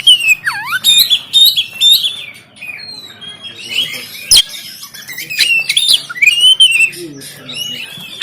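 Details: Caged oriental magpie-robin recorded on an Android phone in Banten, used to stir lazy birds into singing and opening the tail; rich varied whistles, swooping slurs and sharp clicks, with a deep downward swoop early on.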